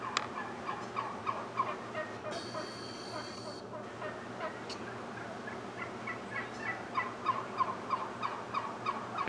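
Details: Morning gang of turkeys arriving while the male performs his dance; short mid-pitched notes repeated rapidly and unevenly throughout, several birds overlapping above a steady low hum.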